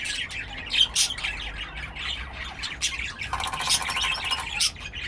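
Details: Pet cockatiel making loud, harsh screeches and clipped chirps in quick succession, with a longer buzzy rasp toward the end.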